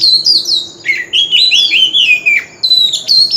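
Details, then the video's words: Oriental magpie-robin lure song for contest birds, in wild forest voice: clear descending whistles that flow into a loud warbled run, then a brief pause before bright high notes resume. "Chòe than hót giọng rừng l Tiếng chim chòe than mồi l Chòe than hót đấu"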